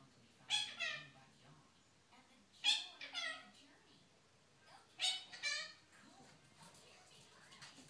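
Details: A six-month-old pet monk (Quaker) parakeet talks to the dog with phrases like "whatcha doing" and "come here", in raspy, high-pitched two-part phrases, three short bursts roughly two seconds apart, in a quiet room.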